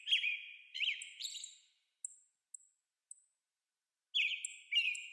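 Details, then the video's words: An American robin calls, rendered in 8D sound: three whistled phrases, then a quiet gap marked by three thin high ticking notes, then two more clear whistled phrases. "American Robin Calling"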